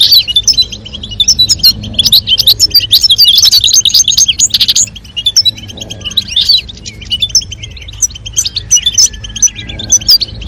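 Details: European goldfinches, male singing and female calling to encourage mating: long, lively twittering with fast jingling notes, loudest in the first five seconds, then looser chirps and whistled notes continuing.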